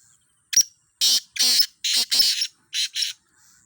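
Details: Black francolin from a fifteen-bird calling trial gives one short call phrase of harsh, rasping, buzzy notes. Several paired bursts follow one another quickly, and the last notes are softer.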